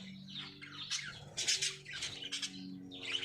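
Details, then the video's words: Lovebirds kept for breeding, giving a series of harsh, buzzy chirps and short squeaky bursts, loudest around the middle, over a low steady hum. "Love Birds Singing | Love Birds Breeding"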